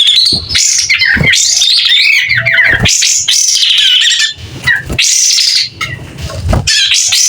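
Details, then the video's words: White-rumped shama singing vigorously and opening its tail, a clear voice pouring out varied loud whistled phrases and chattering notes with brief gaps and faint low hum behind. "Kapas tembak gacor buka ekor.. SUARA JERNIH"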